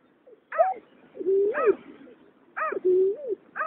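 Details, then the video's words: Male and female greater painted-snipe, 2021: a nasal falling note alternates with a longer, level hooting tone that rises at its end, the two-part phrase repeating twice over a faint background hum. "Tiếng nhát hoa, cà cuốc trống mái"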